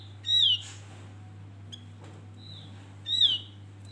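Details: Male Javan grey-throated white-eye used as a bait song to lure birds: two loud, clear, high whistles that slur downward, about three seconds apart, with fainter distant whistles between and a steady low hum.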